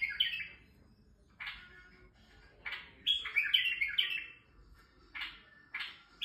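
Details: Male white-eared bulbul singing to stimulate females, in Turkey: short bright whistled and warbled phrases, mostly high-pitched, given in bursts every second or so, with a brief fuller chattering run in the middle.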